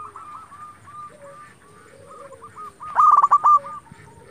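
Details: Local zebra dove singing as a lure to make rivals answer: evenly spaced soft hooked coos over a faint lower sliding tone, then a loud fast trilled phrase near the end.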